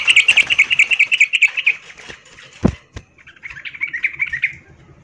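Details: Female yellow-vented bulbul in breeding condition calling to a male: a rapid, loud, high chattering run of short notes for about two seconds, a sharp knock, then a shorter, softer chatter.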